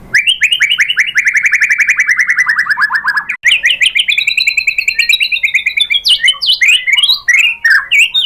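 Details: White-rumped shama lure song intended to provoke shamas into singing back: a long, rapid series of repeated downslurred whistles, then higher fast rolling phrases and varied sweeping notes.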